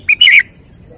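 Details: Red-whiskered bulbul in a cage performing its song style: a very brief burst of two bright notes, a short whistled chirp followed at once by a warbled, slurred note, then quiet.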